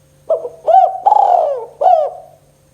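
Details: Spotted dove calling in the kuk 2 pattern to coax quiet tekukur into calling: a soft short note, a rising coo, a long drooping coo, then one arched closing coo, with a low hum underneath.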